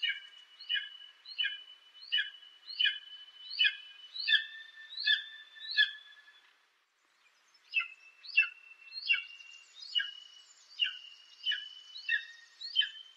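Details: An eagle repeats a short, ringing, down-slurred whistled note about every two-thirds of a second in long steady series, with a brief pause midway.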